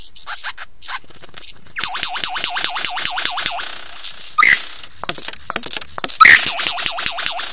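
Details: Lyrebird song from Ben Ricketts, 16 November 2022, 9 AM, close up: long runs of fast, regularly repeated undulating notes broken by loud cracking clicks and brief whistled phrases.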